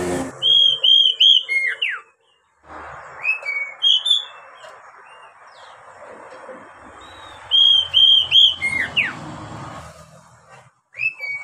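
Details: Song of the Oriental magpie-robin for training young caged birds: several phrases of three to four loud clear whistles ending in downward slurs, with softer scattered notes and hissy background between phrases.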